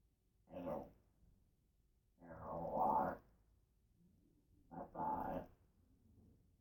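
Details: Pet African grey parrot talking indoors, three short phrases in a low, voice-like tone, each about half a second long and a second or two apart.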